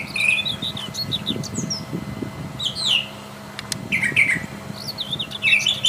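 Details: Brown Thrasher singing in the wild: varied, sharp slurred phrases follow one another with brief gaps, some notes swooping down, against low rumbling background noise.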